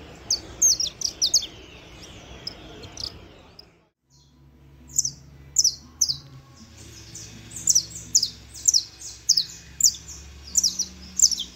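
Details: Saffron finch singing: after a brief pause, bursts of sharp, very high, bright chirps come in quick clusters, growing denser toward the end over a steady low background hum.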